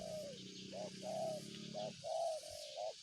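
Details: Spotted dove cooing close by in quick, regular phrases of short and long hooting notes, over a low steady hum.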